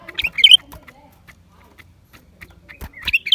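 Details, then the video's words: Lesser green leafbird, January 2023: a sharp burst of bright, slurred high notes opens, then a near-silent gap with faint clicks, and the quick chirping returns at the close. "เสียงนกเขียวกลาง ปีกสีฟ้า suara cucak ranting"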